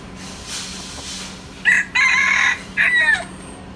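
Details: Native Mae Hong Son game rooster from Thailand, kept for breed conservation, crowing: three loud harsh bursts after a quiet start, the middle one longest, with a man talking faintly.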